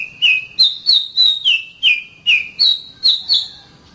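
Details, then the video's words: Clear, regularly repeated whistles of an Oriental magpie-robin, about three per second, alternating between a higher and a lower falling note; a training song for caged birds. "Masteran Terbaik Kacer"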